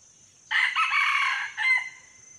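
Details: Male red junglefowl used as a decoy to lure wild males gives one hoarse, ragged crow of about a second, ending in a short clipped final note, over a steady high-pitched insect whine.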